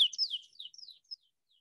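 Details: American pipit, a bird of open agricultural areas and sod fields in Iowa during migration, played through a cell phone speaker: a quick series of high, clear, sliding notes lasting about one second.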